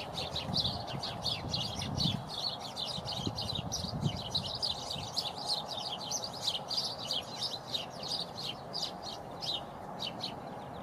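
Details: A feeding flock of house sparrows chirps busily without pause, short bright notes overlapping, over a steady hum and low rumble.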